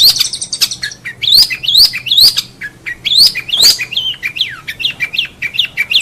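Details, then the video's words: Long-tailed shrike master recording for tutoring contest songbirds: repeated sharply rising whistled upslurs alternating with falling slurred notes, lively and varied. "Masteran cendet"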